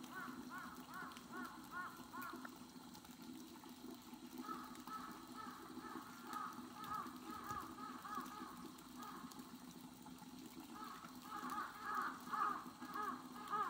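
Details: Steller's sea eagle recorded on 23 March 2022. Long stretches of repeated, arched, yelping notes run almost continuously, seemingly from more than one bird. The calls are louder toward the end, over a constant low hum.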